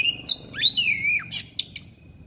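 An Oriental magpie-robin sings a quick run of clear whistles, sliding up and down, then breaks into harsh scratchy bursts and sharp clicks over a faint low hum.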